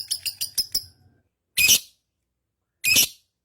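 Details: Lovebird, kept bird in the long ngekek style: five quick sharp high chirps in a row, then two separate harsh, buzzy squawks about a second and a half apart, with quiet between.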